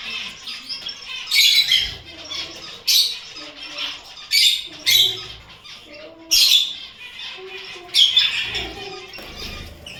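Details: Pet Gouldian finch giving short, harsh, high-pitched squawking bursts, irregularly spaced about every one to two seconds, with fainter chirps and rustling between them.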